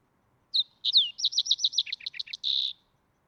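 Green-tailed Towhee gives a bright, high phrase: a few clear whistled notes, a quick string of chipping notes, then a closing buzzy trill. Nothing else can be heard.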